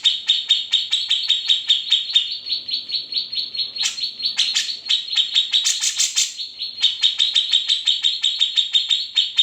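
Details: Unedited grey-cheeked bulbul song with its typical besetan, ngepik and trill style: fast, steady strings of piercing high chips, broken midway by a brief burst of denser, buzzier notes, then resuming the even chipping.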